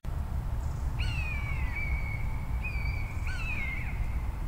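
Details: Common buzzard giving its loud, frequently repeated call, which it uses both perched and in flight: two mewing calls that start high and slide slightly downward, each drawn out over half a second, over steady low rumbling.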